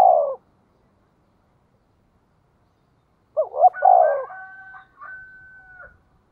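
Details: Spotted dove calling as a lure to provoke wild doves, in the 'giọng thổ' style. A clipped coo opens, then silence, then one phrase of two short rising notes and a drawn-out coo, followed by steady high whistled tones.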